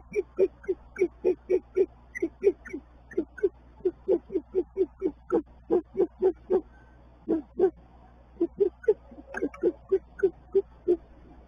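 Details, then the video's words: Great horned owls at a nest, recorded 19 March 2024: the male brings a small mouse to the female, who feeds a young owlet whose eyes are not yet open. Rapid run of short, low, soft hooting notes, several per second, with steady faint hum. "great horned owls"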